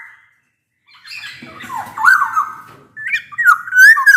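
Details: Loud, flute-like song of a black-naped oriole, played to coax silent orioles into singing: after a short pause, a warbling whistled phrase with a rough undertone, then a rising fluty slur.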